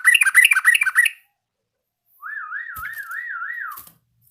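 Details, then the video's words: A Yellow-vented bulbul practising its song: a loud, bubbly chattering burst breaks off, and after a short silence comes a steady, wavering whistled trill that rises and falls for about a second and a half. "BURUNG TRUCUKAN BELAJAR BUNYI"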